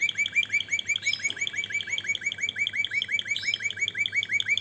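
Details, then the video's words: Canary repeating a clear chirping note about three times a second in a steady even series, with a few higher notes slipped in; faint hum behind. "اجمل غناء لطائر الكناري تغريد الكناري روعة"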